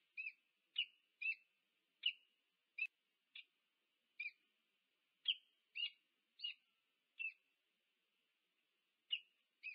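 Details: Wild peregrine falcons, a pair meeting at their nest at UC Berkeley, USA, nest cam recording from 2 November 2022; a dozen sharp chipping notes given singly at irregular intervals, with a clean quiet background.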